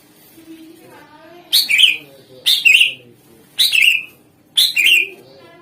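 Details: Greater green leafbird singing to provoke other songbirds into replying: four loud phrases about one second apart, each a high sharp note sliding into a buzzy chattering trill.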